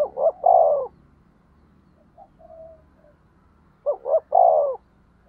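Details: Decoy spotted dove gives two phrases to provoke rivals, each paired short coos then a long drawn coo, over a faint low rumble.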